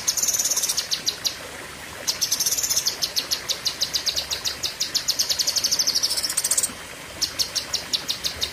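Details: A blue-winged leafbird singing the long, fierce 'tembakan' style. High rapid pulsed trills keep going in long runs of several seconds, with short breaks near two and seven seconds.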